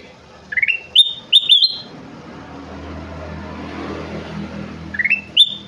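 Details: Golden bulbul, called kutilang emas, singing lively phrases: a rising stutter and clear whistled notes at the start, repeated near the end, over a passing vehicle's rumble.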